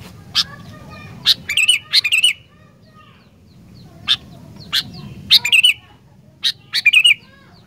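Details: Sooty-headed bulbul song, used to quickly provoke other bulbuls into singing: short bubbly warbled phrases near the middle of the range, grouped in pairs and triplets, mixed with sharp, harsh clicking notes and pauses between bursts.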